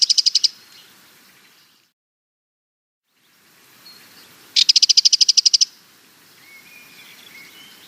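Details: Sardinian warbler calling: a clipped rattle at the start, then a gap, then a full rapid burst of about a dozen harsh, chattering high notes lasting a second. Faint thin bird notes in the background.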